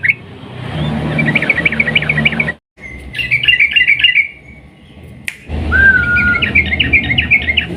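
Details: Sooty-headed bulbul delivering long 'ropel' song as a lure for other bulbuls. Bubbly warbled runs in three phrases, one ending in a drawn-out even tone, with an abrupt click and a low background hum between them.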